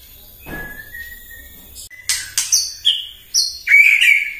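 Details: White-rumped shama in the morning, singing to provoke others: a soft whistled opening, then loud staccato ticks and short high whistles quickening into a rich warbled phrase.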